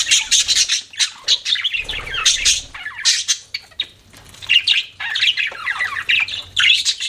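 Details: Chattering budgerigars: bursts of bright, twittering warble and squeaky chirps broken by brief quiet gaps, rapid notes sliding up and down, low rumble faintly audible.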